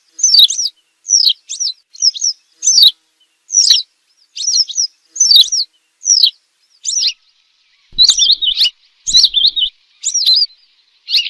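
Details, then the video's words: Hunting-lure recording of western yellow wagtail: thin, high, downward-sliding call notes, often doubled, given about seventy times a minute. A few later notes stretch into brief warbling trills. Background is clean. "صوت إم صفيد للصيد، صفيدي، الزرعة الصفراء- نقي جداً Western Yellow Wagtail - Motacilla Flava"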